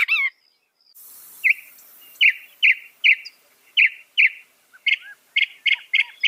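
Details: Northern mockingbird song mimicking other birds: a brief harmonic phrase, then a run of sharp chirps repeated roughly twice per second, growing quicker toward the end.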